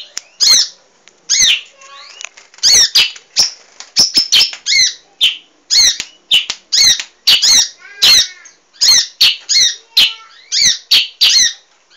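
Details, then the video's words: Munia singing for a cage-bird training recording: a quickening series of sharp, high chirps, a few scattered at first, then dense and near-regular, with soft squeaky notes underneath. "masteran burung emprit GACOR"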